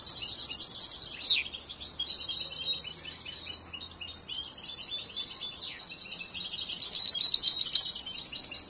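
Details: European goldfinch, a young bird reared from the nest and still working on its song, gives a ringing trill, a sharp downward slur, busy twittering, and then another long, loud rattling trill.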